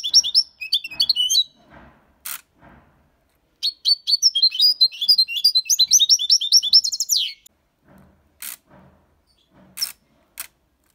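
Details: European goldfinch, six months old, performing the Malaga copy song: a brief bright twitter, a pause with soft clicks and ticks, then a longer burst of fast, high chattering notes, followed by scattered sharp taps.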